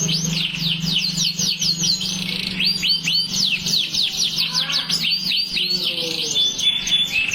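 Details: Canary singing vigorously in long-duration form: rapid, continuous trills of bright sweeping whistled notes, many downslurred, several per second, with a steady low hum running beneath.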